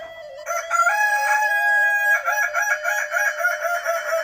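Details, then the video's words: Kukuak balenggek chicken crowing: a long, segmented crow begins after a short quiet start and runs to the end as a chain of linked, rich, harmonic syllables with steps in pitch, and no break between them. "Ayam kukuak balenggek kumpulan kukuak istimewa"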